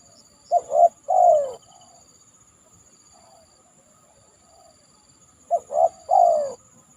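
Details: Spotted dove after heavy rain on a banana trunk: one soft three-note coo phrase, a long quiet gap with faint murmurs, then a second identical phrase ending in a drawn-out falling coo; steady high whine persists.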